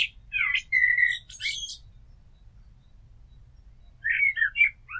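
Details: Blackbird song: warbled fluty notes and a level whistle ending in a high squeaky flourish, then a two-second pause before a softer warbling phrase.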